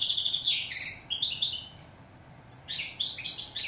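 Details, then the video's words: A European goldfinch, steyla in Moroccan usage, gives bright twittering phrases with buzzy downslurs, falls silent for about a second, then bursts back into quick tinkling notes. "Song of bird goldfinch"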